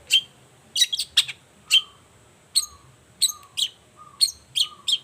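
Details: Long-tailed shrike morning song, played to prompt silent shrikes to answer. Spaced sharp chirps alternate with short, low, flat whistled tones, roughly one note every half second.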